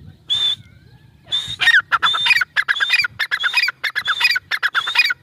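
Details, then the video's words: Grey francolin, known locally as teetar, calling: two isolated high whistled notes, then a rapid run of loud, harsh, squawking phrases, each topped by a thin high whistle, repeating steadily. "Teetar ki boli | Teetar ki awaaz | gray francolin teetar sound | teetar awaz"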